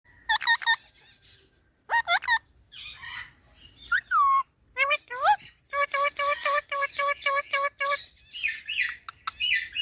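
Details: Talking parrot giving a busy run of harmonic, voice-like calls: looping bent notes, short wavering phrases and a rapid series of clipped stacked syllables near the end, with brief quiet gaps between bursts.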